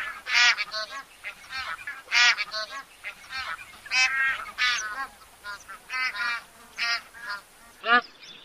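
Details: Bar-headed goose honking in a flock, loud nasal honks repeated roughly every second, some overlapping, with a louder final honk after a brief pause.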